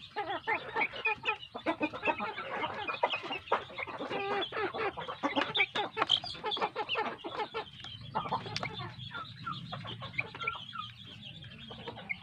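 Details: Grown chicks on a farm, well fed, keep up a busy chorus of quick high-pitched cheeps and peeps, many birds calling at once, thinning toward the end where a low hum appears.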